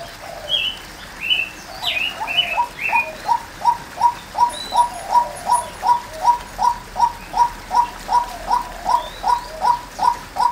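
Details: Female white-breasted waterhen calling: a long, steady run of short, mid-pitched rising notes, about two and a half per second, with higher chirps from other small birds in the first three seconds.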